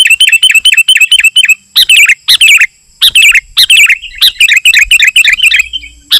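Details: Sooty-headed bulbul song for luring wild birds and tutoring: a quick series of identical chirped notes, then repeated bubbly, tumbling phrases with short gaps between them.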